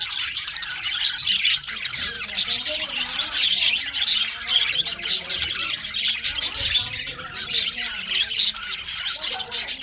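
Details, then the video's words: A winter recording of pet budgerigars: busy nonstop chattering, with sharp squawks and quick high chirps from several birds layered over a scratchy, warbling background of overlapping calls. "Budgies parrot chirping sounds"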